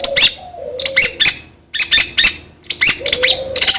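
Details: Long-tailed shrike singing, played to prompt another bird to sing: loud grating, buzzy bursts of notes in short groups, separated by brief gaps, with a soft low whistle sliding beneath.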